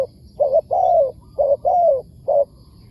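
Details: Wild spotted dove answering a decoy bird, with a wild calling style: low mellow coos in a short-short-long pattern, the long note gently falling, repeated twice, with a faint high hiss.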